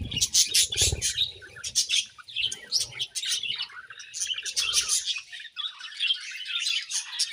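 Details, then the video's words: Several caged budgerigars chirping while being fed in the morning; continuous high twittering chatter with rapid squeaky notes and warbles, a few low thumps and rustles near the start. "Budgies Morning Feeding and Chirping Sounds"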